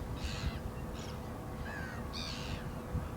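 Black-winged stilt giving four harsh, nasal yapping notes, each brief and spaced about two-thirds of a second apart, over a low rumble of wind.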